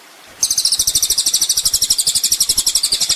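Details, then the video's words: Olive-backed sunbird (kolibri ninja) on a master recording for training songbirds: after brief quiet, a high, rapid chattering trill starts, pulsing about four times per second, steady through the end; faint low thumps underneath. "masteran mewah full isian kolibri ninja bikin burung emosi"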